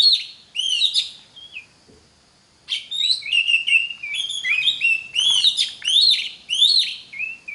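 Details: Oriental magpie-robin song serving as a lure for magpie-robins learning to sing: an opening burst of whistles, a pause, then a long, dense stream of rising whistles mixed with harsh, scratchy notes.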